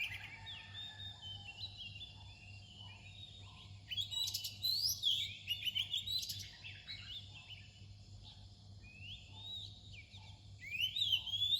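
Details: Oriental magpie-robin near daybreak, quiet at first, then bursting into loud clear whistles and sharp rising slurs, with brief pauses and a fresh phrase at the end; low constant hum behind.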